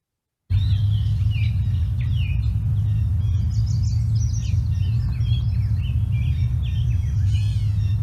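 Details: Two Gray Catbirds calling to each other with meow calls and quick squeaky, slurred notes, over a steady deep rumble throughout.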